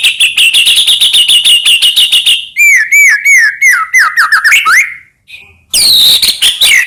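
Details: White-rumped shama, Medan type, in full varied song, played to provoke other shamas into singing: a rapid stuttering run of piercing notes, then a string of clear, dipping whistles, a brief pause, and a loud burst of rich warbling.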